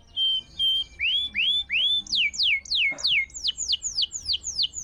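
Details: Canary singing strongly as a tutor recording meant to lure quiet canaries back into song: two steady whistles, then upward-swept notes, then a quick run of about a dozen sharply falling slurred notes.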